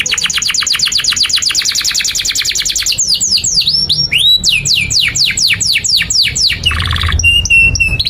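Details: Canary song for tutoring young canaries: a long fast trill of repeated falling notes, then a run of deep whistled swoops, a short buzzy burst and high clipped notes.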